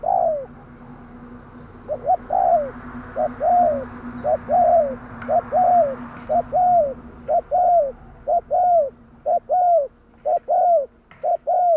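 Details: Spotted dove (tekukur) calling in the 'tarik akar' style, used as a lure for trapping birds: mellow arched coos repeated about once a second in a steady series, over a low constant hum.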